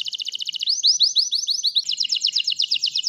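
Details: Lively white canary song, used to prompt lazy canaries into singing and as a tutor for shama and green leafbird: a fast rattling trill, then a run of upward-sliding whistles, then another rapid rolling trill, loud and clear.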